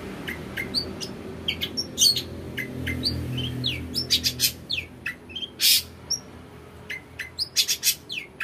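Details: {'caption': "Long-tailed shrike singing a varied 'isian' lure song of the 'toet toet' style: a jumble of quick chirps, downslurred whistles and buzzy bursts, with no clear rhythm, over a faint low hum."}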